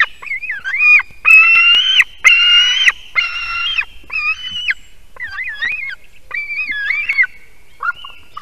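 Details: At 6:04 am on 18 July 2023, a young white-tailed eagle screams from a spruce-top nest in Durbe Municipality, Kurzeme, while a parent perches nearby with fish. Harsh, piercing cries, some long and level, others short and wavering, follow one another rapidly.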